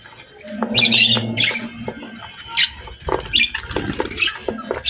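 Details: Pet budgies feeding on healthy food during their daily routine give scattered high, squeaky chirps among low humming tones, rustles and pecking sounds.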